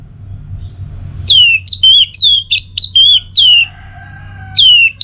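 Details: Orange-headed thrush singing in the teler style, North Bali recording used to train and prompt birds: eight loud, clear whistles falling and then levelling, delivered in quick succession with brief gaps.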